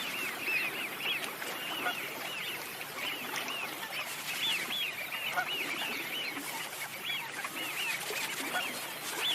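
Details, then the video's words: Many Eurasian Wigeon calling together in winter: scattered high, arched whistles from several birds, some louder and nearer, others softer and distant, over steady background hiss. "Let's have a look and a listen to the Wigeon."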